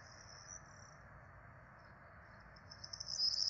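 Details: Four Peregrine falcon nestlings at a Rome nest on 12 April 2024, calling during a feeding; brief high thin wheezes early, a near-quiet stretch, then a louder, shrill, rapid begging burst at the end, with faint low hum behind.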